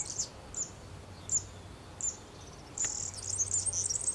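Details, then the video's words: Wild European serin in Zamudio, Txorierri, Bizkaia, 6 May 2018: several short high sharp chirps spaced about half a second apart, then a sudden rapid, buzzy, jangling song phrase at very high pitch. "TXIRRISKIL ARRUNT LIBREREN KANTA_ ZAMUDIO _ Serinus serinus _ (Canto de verdecillo en libertad)"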